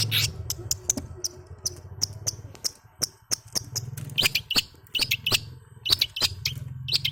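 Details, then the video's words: Long-tailed shrike, a young bird learning its song, used as a lure to get lazy shrikes singing: sharp, separate chirps and short notes at uneven intervals over a low steady hum. "cendet pastol belajar bunyi, cocok buat pancingan cendet malas"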